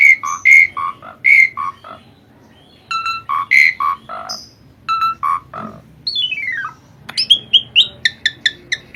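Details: Asian pied starling in full, lively song for songbird training: rich alternating whistled notes repeated in bouts, a long descending glide of notes, then a fast string of sharp high chips.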